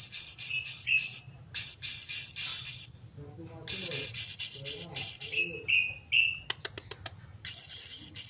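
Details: Blue-crowned hanging parrot giving very high, shrill, sharply repeated call notes in rapid trills lasting about a second each, several bursts separated by short pauses, with a few lower clipped notes and soft clicks between.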